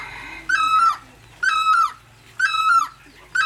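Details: Loud, far-carrying great barbet calls: three full ringing notes with a falling end, spaced about one second apart, followed by the start of a fourth, over faint low background noise.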